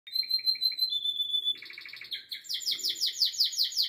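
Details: Canary singing: repeated clear piping notes, a long flat whistle, a buzzy rattling trill, then fast rolling trills of sharp high notes.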